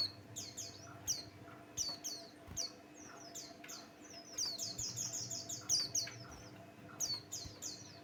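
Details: Pleci Buxtoni white-eye lure song for provoking other birds: long run of hurried, very high twittering chirps, intensifying into a dense chatter midway, then sparser notes.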